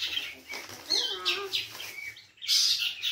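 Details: A pet shrike sings in a scratchy, varied run: harsh chatter, a few sliding whistled notes, then a burst of rasping noise, all high-pitched.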